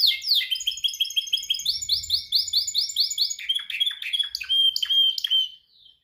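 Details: Domestic canary in singing training, practicing to perfect its song: rapid trills of repeated high chirps, a long even roll of rising notes, then sharper downslurred notes and a bright whistled tone before falling quiet.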